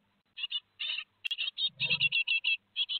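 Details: Nestling great tits two days before fledging, Théding, 15 July 2020, give loud rapid raspy chirps merging into a fast continuous series, accompanied by a low thud and a sharp click.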